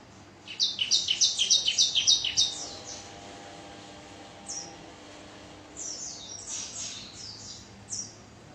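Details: Bar-winged prinia delivering a quick, regular series of high buzzy chips, followed by quieter, scattered thin high notes.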